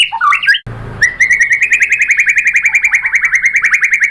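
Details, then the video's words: White-rumped shama lure song: a short jumble of chirps, a brief thump, then a fast, even trill on a steady whistled pitch running to the end. "OCEHAN MURAI BATU bikin NYAUT jadi EMOSI NYAUT GACOR BONGKAR MATERI ¦ PANCINGAN MURAI ¦ SHAMA BIRD"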